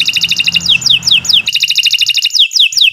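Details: Canary singing, for use as a training recording for other birds: quick pulsed trills alternating with bright, sliding whistled notes that sweep downward, repeated in a lively, bouncing rhythm.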